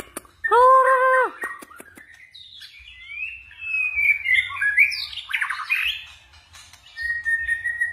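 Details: White-rumped shama switching voices in its forest-style song: a buzzy nasal note, then a long run of liquid whistles and sliding warbles, ending in a steady held whistle.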